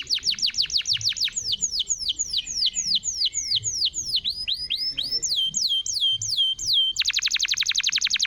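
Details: Canary song aimed at getting a silent canary singing again: steady series of clear downslurred notes repeated about three per second, varying in pitch, ending in a very fast rattling trill.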